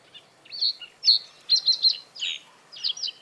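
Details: Territorial song of a male common reed bunting in breeding season, perched atop reeds over water: a brisk series of high, sharp chirps, a rapid triple note, then a lower buzzy slur and a final paired chirp.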